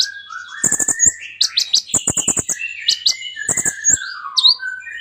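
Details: Kolibri ninja sunbird singing energetically with many borrowed phrases, meant as a lure for silent birds. Long gliding whistles weave under quick high chirps and brief buzzy rattles in a continuous flow.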